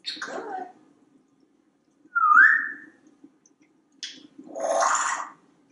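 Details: Pet African Grey Parrot, a male hatched in 1997, perched on a kitchen faucet indoors in a Texas home. A short rising whistle sits between scattered soft squawks and a breathy burst, with a low room hum beneath.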